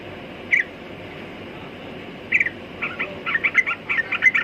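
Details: Sooty-headed bulbul giving two isolated chirps, then a quickening run of bright, warbling notes in the final second and a half.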